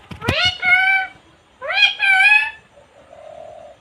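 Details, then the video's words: Talking female parrot kept as a pet in India, cute-voiced, uttering two loud, nasal, harmonic word-like calls rising then leveling off, separated by a pause, with a faint humming tone afterward. "talking parrot/Best cute parrot //her voice is so cute"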